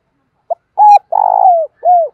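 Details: Spotted dove used as a decoy, cooing to attract wild doves: a brief note, a flat hollow coo, a long rough coo sliding down, and a final soft arched coo.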